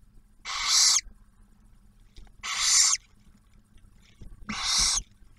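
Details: Barn owls at an Ottawa National Wildlife Refuge nest box in Ohio, male delivering food while the female feeds the first hatched owlet; three drawn-out harsh hisses, each over half a second, evenly spaced about two seconds apart, with a faint low hum.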